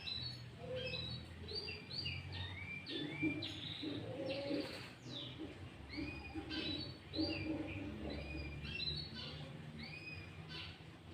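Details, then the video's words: Sooty-headed bulbul singing energetically to lure wild bulbuls and challenge rivals: a long run of looping whistled notes, rising and falling, delivered in rapid sequences, over a steady low hum. "Pancingan Burung Kutilang Gacor Full isian Cucok ijo"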